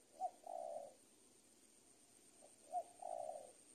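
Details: Spotted dove tutoring recording for training young birds, a 'super penguku' cooing style: two faint phrases, each a short clipped note followed by a longer hollow coo, about two and a half seconds apart, over a steady background hiss.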